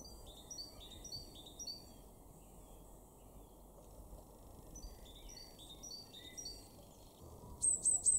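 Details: Great tit (Parus major) song in a garden in Weener, East Frisia, northwest Germany, in March 2024: two faint runs of high, bright, downward-stepping notes over a low rumble, closing with a few sharp, very high calls.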